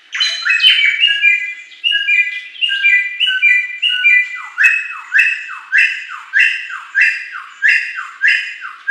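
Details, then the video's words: Wild forest-caught bare-throated whistler singing loud, ringing whistled phrases: a run of stepped notes, then about ten sharply falling whip-like notes, repeated almost twice a second. "Samyong Asli Hutan Liar (Bare Throated Whistler)"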